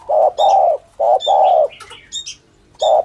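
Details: Spotted dove cooing, a lure call for trapping doves: deep, rounded coo notes of varying length, one drawn out, with short high chirps from other birds between them.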